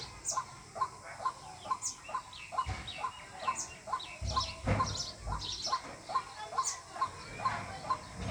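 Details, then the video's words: White-breasted waterhen calling, as used to lure birds for trapping: a regular run of short mid-pitched notes about twice a second, briefly overlaid midway by a louder, rougher burst and some high chirps from other birds. "Jal murgi Ki Awaz water hin || ডাউক পাখির ডাক। Waterhen Bird Call। পাখির ডাক দিয়ে পাখি শিকার।"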